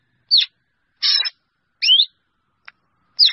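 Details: Black drongo calling the flock. A falling whistle is followed by a grating rasp, then a looping whistled note. After a brief soft tick comes another descending whistle, all spaced well apart.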